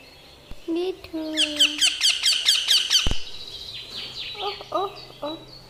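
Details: Baby green parrot calling, recorded May 19, 2022; a rapid burst of repeated buzzy chirps, about two per second, with thin tonal whistles before and softer scattered notes after, and a sharp click in between.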